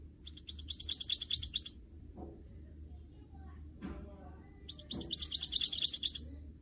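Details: Singing goldfinch mule (canary x goldfinch hybrid), encouraged with training techniques: two separate bursts of fast, high tinkling twitters, each over a second long, with soft knocks and clicks between them.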